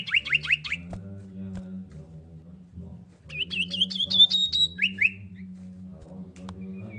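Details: Female common iora calling the male, used as a lure: two bursts of rapid, high, chirping notes falling slightly in pitch, repeated in quick series, over a steady low hum.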